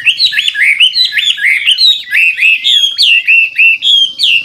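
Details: Old wild-caught Chinese hwamei decoy bird singing to encourage newly caught birds to sing. Clear, looping whistled phrases rise and fall in quick succession, each slurred note bending sharply, with a steady bouncing rhythm throughout.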